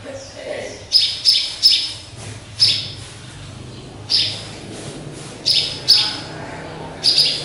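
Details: Pet sparrow in a cage hung high, believed to be a hybrid: bright, high single chirps, some in fast doublets and triplets, scattered irregularly over a faint low background rumble.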